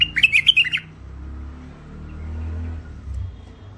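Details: Thick-throated hybrid finch (mule) giving a single quick phrase of sharp, high chirps under one second long at the outset, then low indoor hum.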